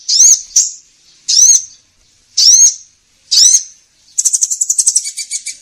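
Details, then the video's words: Trapping lure of the kolibri ninja sunbird: four loud high upslurred chips spaced about one second apart, followed by a fast dry trilled chatter. "Suara pikat burung kolibri ninja"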